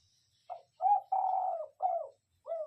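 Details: Spotted dove lure bird giving a cooing call: a short note, then a longer drawn-out hoarse coo falling slightly in pitch, followed by further soft mid-pitched coos, with quiet gaps between.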